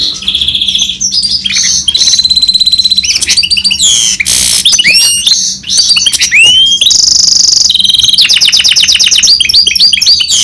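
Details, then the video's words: Long varied song of a goldfinch crossed with canary: rolling trills, harsh buzzy bursts, swooping whistles and a closing run of fast repeated pulses, almost without a break. "Гибрид щегла с канарейкой/ سایره کنری/ hybrid of goldfinch and canary"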